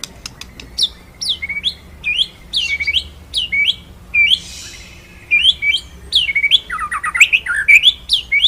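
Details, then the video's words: Master song of a white-rumped shama for training other birds: a stream of varied whistled downslurs and upswept notes, one short noisy burst midway, ending in fast complex phrases. "BURUNG MURAI MASTERAN NGEROLL NEMBAK"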